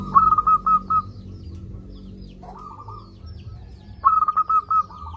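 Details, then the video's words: Loud local zebra dove, played to coax lazy doves to call: a brisk string of evenly spaced staccato coos, a softer trailing phrase, then another rapid bubbling series. "Perkutut lokal gacor suara besar"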